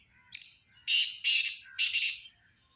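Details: Black francolin call: a short introductory note, then three loud, harsh, rasping notes, each about a third of a second, in a fast rhythmic phrase against a quiet background.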